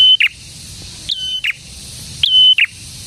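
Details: Actively singing prinia (prenjak, locally prenjak tamu or prenjak merah) repeating a three-part phrase about once a second: a quick upward note, a steady pure whistle, then a lower rough burst. Faint background hiss.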